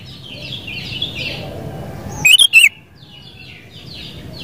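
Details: Sooty-headed bulbul producing a short warbled burst of three liquid, bubbly notes midway, set against a constant background of softer chirps from many birds.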